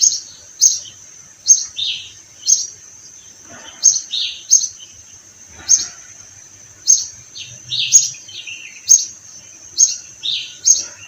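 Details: Sparrows calling in spring among flowering orange trees; short, sharp high chirps repeat about every half-second to second, with lower, slurred downward notes scattered between them against a quiet background.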